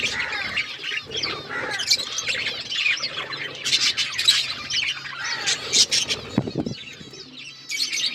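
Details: Several colourful budgies chattering at once, overlapping bright squawks, chirps and warbled twitters in a continuous stream, plus a brief low thump near the end and a soft background hum.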